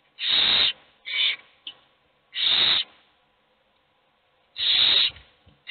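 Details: Hungry owl chicks begging at the nest, where only one gets fed; four harsh, breathy hisses at irregular intervals, two long and two shorter, with brief faint rustles between.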